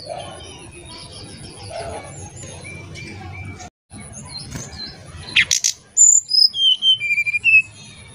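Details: Oriental magpie-robin song: after a rumbling noisy opening and a brief dropout, a quick string of clear high whistles, several sliding downward step by step, with loud clicking bursts and a thin steady high tone behind.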